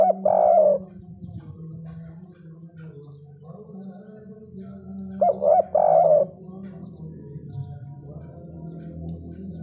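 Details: Spotted dove, 'kuk 3' style: a loud hollow coo at the start and another group of coos near the middle, separated by several seconds of low humming background.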